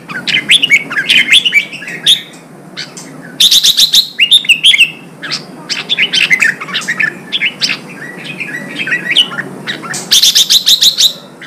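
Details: Red-whiskered bulbul singing to provoke fighting in wild-caught birds and train their voice: loud, rapid chattering whistles and sharp chirps in dense clusters, with two bursts of very high, clipped notes, nearly continuous for over ten seconds.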